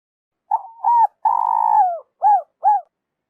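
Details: Spotted dove call, played by trappers as a lure: two short hollow coos, then a long drawn-out coo that slurs downward at the end, followed by two more brief rounded coos. The background is quiet.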